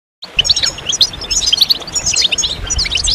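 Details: Several European goldfinches twittering together, played to stimulate males to sing and come out of moult; dense high, bright chirps and trills overlap continuously, with a low rumble of background noise underneath.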